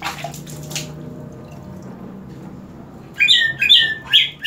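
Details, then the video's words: Green leafbird doused with water, growing even more vocal: after three quiet seconds with a faint splash at the start, a run of four loud, sharp whistled notes jumps in quickly toward the end. "CUCAK IJO INI DISIRAM AIR MALAH MAKIN MENJADI"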